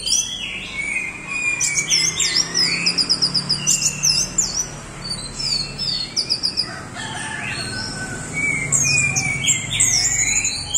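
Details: Vigorous 'doyong teler' song of an Orange-headed thrush: fast strings of high, repeated whistled notes in quick sets, rising slurred whistles below them, and a continuous varied chatter; a faint low hum underneath.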